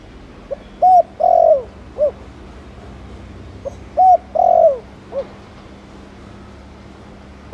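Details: Spotted dove, Thổ Đồng coo style, played to prompt other doves to coo: two low phrases roughly three seconds apart, each a soft pip, a short coo, a long falling note and a final short coo, then quiet.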